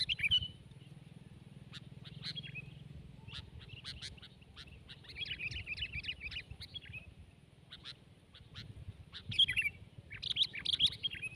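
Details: Sooty-headed bulbul singing in a tense competitive bout against another bird: bursts of bright chirps and short warbled phrases, with a busier chattering run midway and sharp notes near the end, over a low background rumble.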